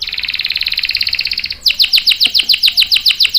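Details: Canary in full song for luring and training young males; a fast even rattling trill gives way to a slower sequence of loud, sharply descending chirps repeated about four times a second.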